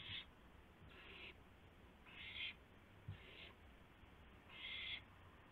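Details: Owl calling at 12:25 AM on April 7, 2016, during a gopher prey delivery: five harsh, hissing screech bursts, each about a third of a second long, spaced irregularly over several seconds, above a steady low hum.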